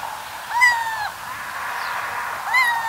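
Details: Little owl calling in the night: two drawn-out, mewing, cat-like cries about two seconds apart, each arching up and falling back, over a steady background hiss.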